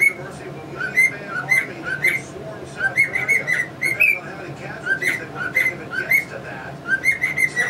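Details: Pet cockatiel whistling its versions of "Yankee Doodle Dandy" and the "Mexican Hat Dance" while strutting beside two English budgies; short rising and falling whistled phrases repeat in bursts over an indoor background hum.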